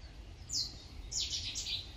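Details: Common kingfisher recorded at Warandeputten in 2018, giving shrill, piercing whistled notes: one short sharp call, then a quick run of three or four high notes, over a low background rumble.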